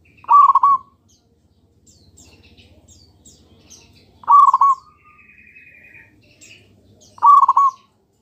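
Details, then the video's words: Local zebra dove song played as a lure for answering doves: three brief rolling coo bursts about three seconds apart, with a low hum, a thin buzzy note and high chirps from other birds between them. "PANCINGAN PERKUTUT LOKAL PALING AMPUH"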